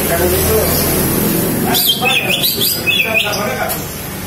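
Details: Calling female green leafbird, used as a lure for males: a burst of sharp, wavering high chirps starting after a quiet noisy stretch, against a low background rumble.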